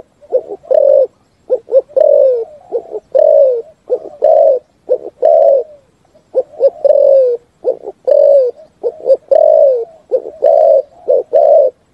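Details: Full 'thúc gù' song of a spotted dove: a steady run of mellow coo phrases, each made of a couple of clipped notes and a longer descending coo, repeated roughly once a second.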